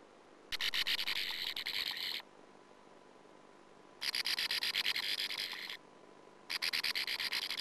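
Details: Sand martins at a nest hole in a colony, filmed by a nestcam in 2009, where a persistent intruding female attacked the young of the first brood; three loud bursts of rapid, harsh, buzzy chattering, each lasting about one and a half seconds.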